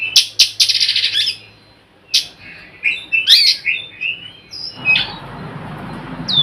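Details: Oriental magpie-robin lure call to get other magpie-robins singing; a quick rattle of harsh notes, then twisting whistled slurs and scratchy phrases, ending in rising whistles over background rumble.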